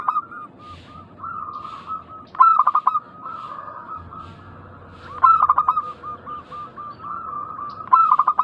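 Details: Energetic local zebra doves whose song lures other doves to respond. Stuttered bursts of sharp coos alternate with smooth strings of rolling, even-pitched notes, phrases recurring roughly every two to three seconds.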